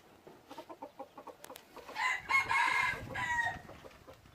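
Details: Wild red junglefowl decoy rooster from Xaysomboun, Laos, calling loud and clear: a run of short rhythmic clucks, then one strong, harmonic-rich crow that holds steady for about a second and a half before dropping away.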